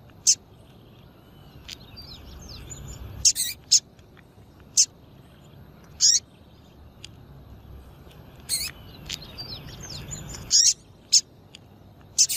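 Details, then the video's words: Repeated short, sharp, high-pitched chirps from a female double-collared seedeater, about a dozen over twelve seconds, sometimes in quick pairs, with soft background whistling of other birds; a call meant to get males excited for song tournaments. "PIADO DE FÊMEA DE PAPA CAPIM PARA DEIXAR SEU PAPA CAPIM DOIDO"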